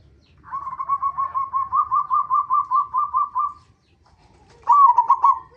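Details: Local zebra dove singing as a lure for other zebra doves: a long, even series of about thirteen clipped, evenly spaced coo notes, then after a pause a louder rolling phrase.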